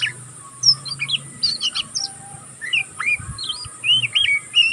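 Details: Young oriental magpie-robin in the learning stage keeps up a ngeriwik twitter. Clusters of high chirps and bent whistles are broken by brief pauses, and a curling whistle is repeated near the end over a faint low hum.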